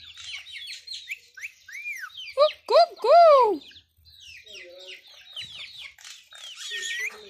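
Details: Talking Indian ringneck parakeet kept as a pet, producing quick high chirpy syllables, then loud arched speech-like phrases around the middle, followed by softer rapid chatter.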